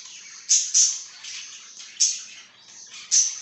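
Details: Pet budgerigar recorded on 26 July 2023, giving four bright, harsh chirps spaced about half a second to a second apart over a faint, steady background chatter.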